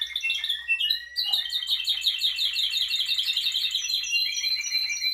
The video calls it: Timbrado Canary Singing